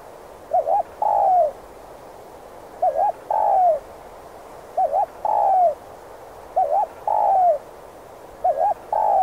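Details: Spotted dove giving the rapid 'thúc gù' coo used to lure wild doves into traps: five two-part phrases, a quick wavering double note then a longer falling coo, repeated about every two seconds over steady low hiss.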